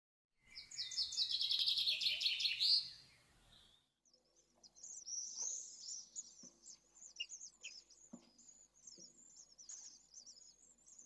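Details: Three Pallid Swift chicks in a nest in Jerez, 2023, give a loud burst of rapid, high, buzzy chittering, then a softer run of thin, quick twitters with faint clicks.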